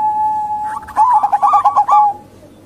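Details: Female local zebra dove lure call for drawing males into calling: a steady tone, then a short burst of quick, bubbling coo notes that fades out.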